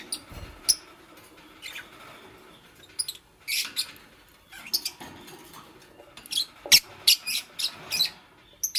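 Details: Nest-building green Fischer's lovebird with a pastel companion in the morning; rapid bursts of shrill, clicky chirps, denser near the end, over faint rustling of nest material.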